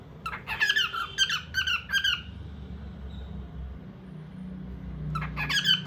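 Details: Indoor cockatiel giving quick clusters of harsh, squeaky chirps for about two seconds, then a pause of almost three seconds with low background hum, before another burst of sharp notes.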